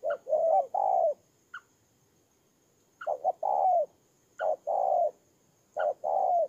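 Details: Spotted dove kept as a ground decoy in Kon Tum, Vietnam: three separated coo phrases, each opening with a brief higher note, then short and long mellow coos, with quiet gaps between.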